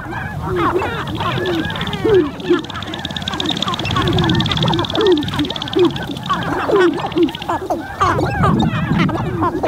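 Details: Several sharp-tailed grouse displaying on a Montana lek in spring, recorded from a blind with a Canon R5: a busy, overlapping chatter of nasal, duck-like cackles and clucks, with wind noise underneath.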